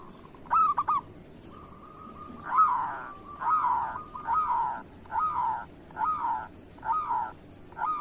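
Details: Local zebra dove, kerot song type, played to coax quiet doves into song: a loud stuttered burst, a thin level trill, then seven hoarse, swelling coos spaced under a second apart.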